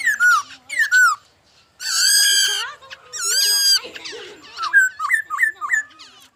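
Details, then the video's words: Laughingthrush song: clear slurred whistles, two long harsh strained notes, then a string of short rising whistled calls. "khướu hót"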